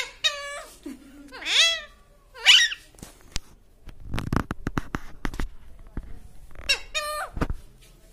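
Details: Pet talking parrot giving sharp, squeaky squawks that sweep up and down, with rising whistled notes and a few softer voice-like sounds in between, separated by brief pauses.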